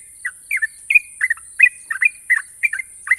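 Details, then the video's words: National champion Sooty-headed bulbul singing long sharp trills as a quick run of bright, slightly falling chirps, roughly three per second, over a constant high-pitched hiss. "burung trucukan juara nasional ropel panjang dan tajam"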